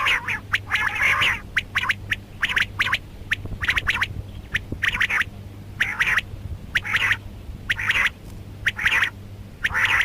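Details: Rasping, squawking calls from a female rain quail, irregular runs of short sharp notes and longer grating bursts roughly once a second, a low steady hum throughout; from a mixed karkari recording.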